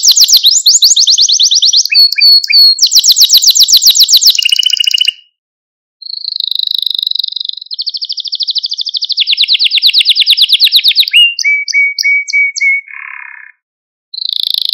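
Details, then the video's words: Canary song intended to train and stir up canaries: loud rattling trills, a pause near five seconds, then smooth rolling phrases, a string of short whistled notes, and a final warble after a gap. "Kanarya Sesi Ötüş Eğitimi | Kanarya Ötüşü eğitimi | Kanarya Kızıştırma ve Huylandırma"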